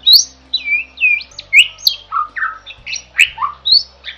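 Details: Jalak song in gacor style for masteran: a sequence of loud, rising and falling whistled slurs and squeaky notes, each about a third of a second, delivered in a steady, quick rhythm over a faint hum.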